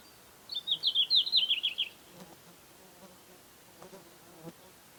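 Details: Red-flanked bluetail, summer breeder in Hokkaido: one brisk warbled phrase of rapid high twittering notes lasting about 1.5 seconds, descending toward the end, followed by quiet background with faint low knocks.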